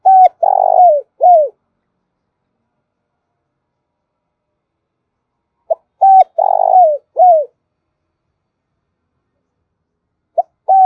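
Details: Spotted dove used as a decoy, cooing to lure other doves: a short note, a level coo, a long rough purring coo sliding down, then an arched final coo, the phrase repeated about every six seconds in quiet surroundings.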